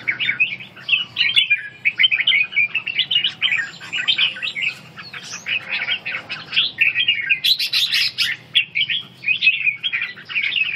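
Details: Red-whiskered bulbul in ché song training for stamina, producing a continuous rapid jumble of chirping, warbling notes, with a louder, higher-pitched burst about three-quarters through.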